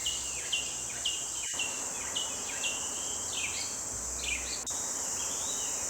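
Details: Forest birdsong at morning in sunlight: a run of clear whistled notes, many sliding downward, repeated roughly twice a second with slight variations, above a constant high-pitched buzzing drone.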